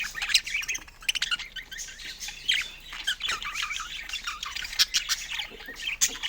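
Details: Pet budgerigar chatter: steady, busy warbling with squeaky whistles, scratchy buzzes and quick chirps, with a few louder sharp squawks breaking through.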